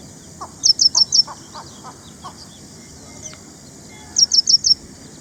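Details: Ashy prinia, or ashy wren-lark; two rapid bursts of four high, piercing chirps separated by about three seconds, with lower soft clucking notes from another bird early on.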